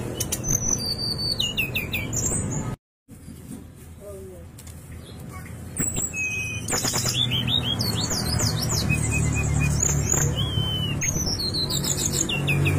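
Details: Song of a brown-chested jungle flycatcher played to coax captive birds into song: a short silent gap, a few softer lower notes, then lively bursts of high whistled, sliding and trilled phrases over a low background drone.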